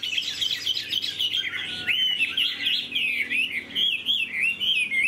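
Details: Domesticated Chinese hwamei in a carried cage gives a clear, varied warble, swooping whistled notes run together into a flowing phrase with sharp upward flicks near the end.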